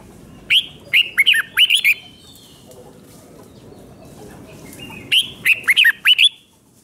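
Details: Red-whiskered bulbul, Thailand, singing the 'double 2, double 3' five-syllable song played for young birds to learn: two lively phrases of chirpy, falling whistles about four seconds apart, with faint background hiss.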